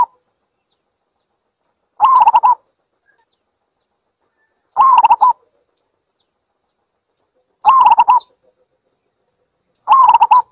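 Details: Zebra dove giving four bursts of rapid, staccato cooing notes, each burst about half a second long and spaced roughly every three seconds, with silence between them.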